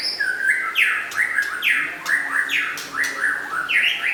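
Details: White-rumped shama of local and forest type singing strongly: ringing down-slurred whistles followed by short rising notes, repeated roughly every half second in a steady rolling rhythm.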